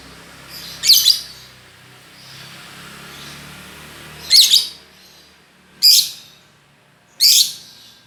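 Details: Lovebird producing harsh, squeaky high chirps, four bursts spread over eight seconds, against a steady low background hiss.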